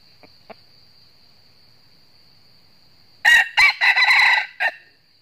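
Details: Challenge crow of a wild red junglefowl cock from the north, lured toward a decoy trap. After about three seconds of near silence with two faint ticks, a loud, hoarse, broken crow of several rapid syllables follows, ending in a short clipped note.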